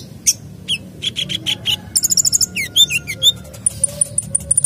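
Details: Sunbird singing a full, varied song meant to coax other birds into singing: sharp high notes, fast buzzy trills, quick rising and falling whistled slurs, ending in a series of thin, very high pips.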